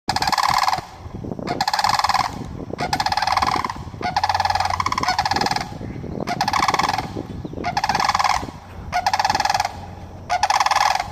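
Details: Sandhill cranes calling in Florida: loud rolling, rattling bugles in bursts of about a second, repeated roughly every second with overlapping voices, a rich harmonic stack over faint low background rumble.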